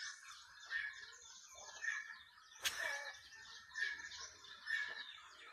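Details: Playing pet turkeys chatter with thin, high chirps and harsher yelps that rise in bursts about every second. One sharp click or knock sounds midway through.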